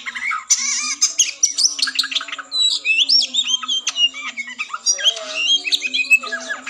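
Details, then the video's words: Oriental magpie-robin in fighting mode, used as a pre-contest mental test to raise breeding drive. It gives rapid, varied whistled and chattering phrases with sharp upslurred notes and buzzy bursts. A faint steady low hum runs beneath. "TES MENTAL KACER TARUNG NGOBRA"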